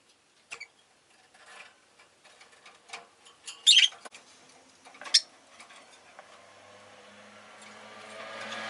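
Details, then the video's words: Captive Rosy-faced lovebirds, calling a good deal that day, give scattered shrill chirps, two standing out loudly. A rising hum of passing street traffic swells toward the end. "Lovebird Chirping Sounds"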